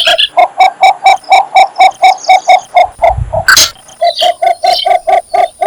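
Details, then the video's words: Cinnamon bittern, a shy heron of reed and cattail beds, giving its mating call: a long series of hollow, even hoots, about two per second, with a brief break and a sharp noise near the middle. "นกยางไฟธรรมดาร้องหาคู่ Cinnamon Bittern"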